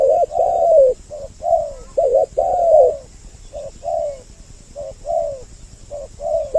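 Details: Spotted dove lure with two calling birds to attract males and females: low soft coos, several long falling notes early, then evenly spaced shorter coos with small gaps.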